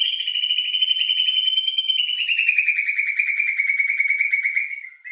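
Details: Lure song of a White-rumped shama, full of rich filler notes, meant to stir emotion and breeding drive: one continuous fast buzzy trill that slowly falls in pitch, about five seconds long.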